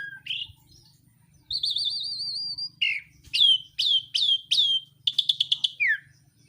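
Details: Lively songbird with a varied, clear song: a short whistle, then a long wavering warble, several sharp downslurred notes, and a burst of rapid clicks ending in a falling note, with a faint low hum.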